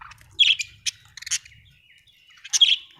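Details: Happy budgie chirping in short bursts: a few sharp squeaky chirps and scratchy warbled notes, with a thin whistled tone running between them and a soft low rumble behind.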